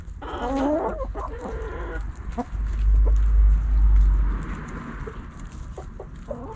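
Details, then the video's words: Backyard chickens pecking and scratching; a burst of loud squabbling clucks at the start, then a heavy low rumble and sparse clicks. "Backyard Chickens Hens And Roosters Pecking Scratching Sounds Noises Hens Clucking Roosters Crowing!"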